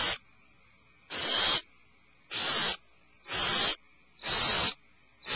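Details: Young owls alarmed in a nest cavity produce a steady run of six hoarse, hissing screeches, roughly one per second, each lasting about half a second.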